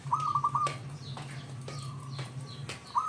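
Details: Brief burst of quick pulsed cooing from a local zebra dove used to lure other doves, then a faint drawn-out note and a new phrase at the end, with sharp clicks and low hum.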